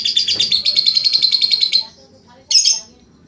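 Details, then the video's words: Long ngekek trill by a lovebird, high and buzzy with very even rapid pulses running nearly two seconds, then silence and one sharp harsh chirp. "Cara Melatih Lovebird Langsung Ngekek !"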